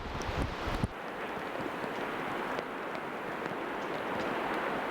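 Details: Steady wind buffeting and a low rumble fill the recording, with a brief knock near the start and no animal voice.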